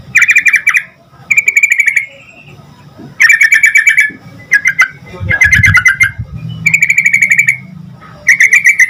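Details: Sooty-headed bulbul singing steadily to draw answers from other bulbuls: about seven bursts of fast rattling notes, some with a lower double-toned layer, separated by gaps of roughly a second, with faint low background rumble.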